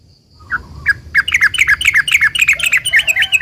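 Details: Yellow-vented bulbul singing an eager, long rapid-fire song used as a lure to make other bulbuls reply: a few separate chirps, then a dense, bubbly run of quick up-and-down notes, about three or four per second.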